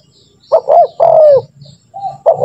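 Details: Spotted dove lure call for training birds: one complete phrase of two short notes and a long falling coo, then the start of the next phrase, over a low hum.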